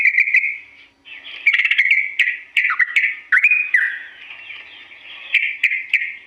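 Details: Sooty-headed bulbul singing a long, slow song used as a tutor for imitation: separate bubbly phrases with dipping slurs and crisp chips, divided by short gaps, the later notes softer and more drawn out.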